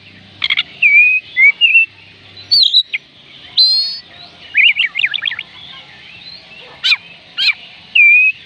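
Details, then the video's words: Oriental magpie-robin song for encouraging birds that will not sing: varied whistles, a fast zigzag trill, sharp downward-sweeping notes and a final level whistle, with brief pauses between phrases. "oriental magpie robin kicauan Kacer panggilan Kacer malas bunyi"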